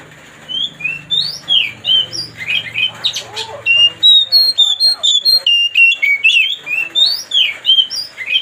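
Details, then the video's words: Kacer (white-rumped shama) song used to provoke another bird: long rapid sequence of sharp whistles, chirps and slurred notes, roughly three to four per second, with a low hum fading out early. "mancing suara kacer biar emosi"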